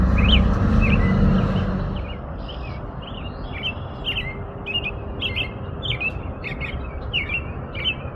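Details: Loud low noise fills the first two seconds, then an American robin delivers a steady sequence of short warbling phrases with sharp high accents, rhythm fairly even.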